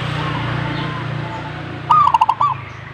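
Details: Zebra dove (perkutut) giving one answering song phrase near the end: a rising note, then a rapid stutter of soft coos and a final short upslur. A steady low hum runs throughout.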